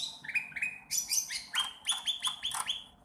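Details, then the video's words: Sooty-headed bulbul learning to sing: short scratchy chirps, then a run of clipped, rising notes repeated about every quarter second, with buzzy higher overtones. "cucak ranting trotol belajar bunyi"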